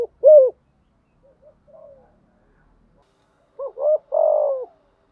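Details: Spotted dove cooing as a lure for wild birds: a short rising note, soft faint sounds, then two quick notes and a long throbbing coo.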